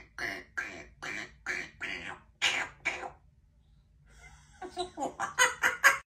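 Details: A female Congo African grey parrot, hanging out at home while her owner works, mimics a chimpanzee: six harsh, hooting bursts about two per second, a pause, then a rapid, squealing chatter rising in intensity.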